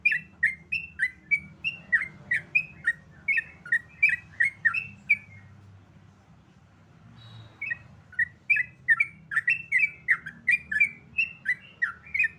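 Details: Sooty-headed bulbul singing in the rapid 'ropel' style: quick runs of short, bright whistled notes, some rising and some falling, delivered in two bursts separated by a pause of about a second, with a low hum underneath.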